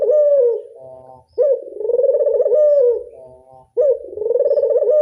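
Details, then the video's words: Classic-style angungan cooing from a local Barbary dove: rich, pulsing coos with an abrupt rising onset and a drawn-out, quavering, falling tail, repeated roughly every two and a half seconds with soft low murmurs between. "Angungan burung puter lokal suara klasik"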